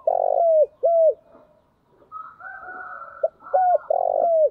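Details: Spotted dove used as a decoy for wild doves: a long buzzy coo and a short falling note, a pause with a faint higher drawn-out sound, then three more low coos ending in a long buzzy one.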